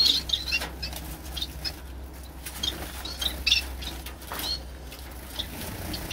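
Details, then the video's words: Several kept Gouldian finches relaxing, giving short high thin chirps scattered irregularly through the recording, mixed with soft fluttering wingbeats and a steady low background hum. "My Gouldians Finches Chillin"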